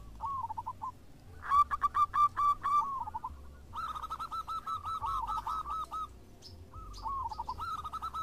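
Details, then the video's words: Several local zebra doves calling back and forth in lively song. Short soft coos open, then loud clipped stuttering runs follow, with a trailing series of quick, evenly spaced notes and a faint higher chirp near the end. "PERKUTUT JADI RAMAI SALING SAHUT !! (Perkutut lokal gacor)"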